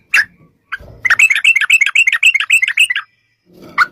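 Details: Yellow-vented bulbul used to make bulbuls answer; an isolated bright note, then a long rapid rolling trill of bubbly chirps lasting about two seconds, ending with one more single note.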